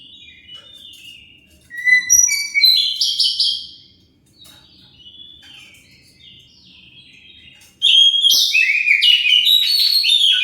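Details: Oriental magpie-robin song used as a lure so other birds answer: scattered soft whistles, a lively burst of sliding notes, a quieter stretch of faint phrases, then a loud, dense outpouring of rapid whistles.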